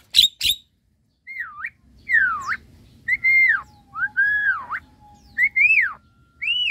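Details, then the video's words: Semi white-eyed Javan myna singing actively in a bathing cage: loud, clear whistles, each swooping down then up, roughly one per second, after two sharp opening clicks, over a faint low hum. "Jalak Kebo Mata Putih Gacor"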